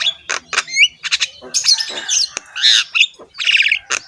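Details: Javan myna giving its rough, harsh song while head-bobbing, full of varied phrases: grating squawks, upslurred whistles and a buzzy rattle, uttered in irregular bursts about once a second.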